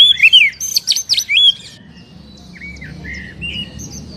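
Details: Captive Oriental magpie-robin song played to stimulate a caged bird to sing: a loud burst of rich, looping whistled phrases and buzzy notes in the first second and a half, then softer scattered whistles over a low hum.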